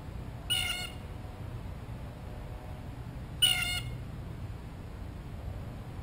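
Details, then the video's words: Two loud, rasping, harmonic calls from a blue jay close to the microphone, about three seconds apart, while it waits for a peanut. Quiet background between them. "Amazing Blue Jay Calls - Up Close and Loud"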